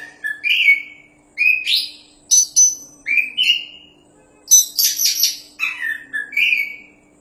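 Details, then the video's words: Oriental magpie-robin, a champion caged kacer, sings paired short whistles rising and falling, then a dense scratchy burst and more slurred whistles, in lively phrases with brief pauses; light hum in background. "BURUNG KACER JUARA GACORRR PAS BUAT MASTERAN"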